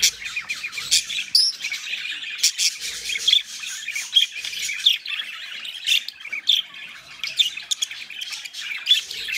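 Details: Pet budgerigars mating chatter continuously in high, scratchy warbles broken by sharp squawks and clicks, a dense busy stream with no pauses.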